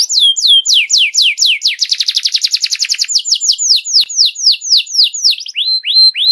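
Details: Young canaries' master song from a canary, with swooping falling notes, a burst of very fast buzzy repetitions, then slower arching whistles and a few rising upslurs at the close.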